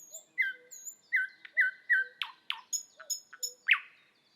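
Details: Thrush nightingale singing in Estonia: a run of loud, clear whistled notes held at one pitch and repeated, then dry clicks, rattling notes and short high whistles in a dense, varied phrase.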